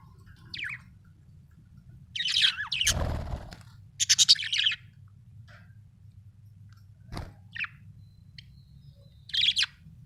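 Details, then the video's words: Happy budgerigar chirping in bursts: short rising squeaks and scratchy chattering phrases separated by pauses, with a couple of sharp clicks and a steady low hum underneath. "happy budgie chirping sound"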